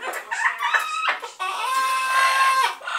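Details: Harsh squawks from double yellow-headed amazon parrots lead into a long, steady, drawn-out tonal call of over a second with a strong, even pitch, followed by another short squawk.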